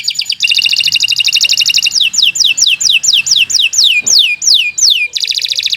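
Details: Canary pouring out a long song for training birds: a rich rolling trill, then a steady series of about a dozen sweeping downslurred whistles, and a final burst of trilling.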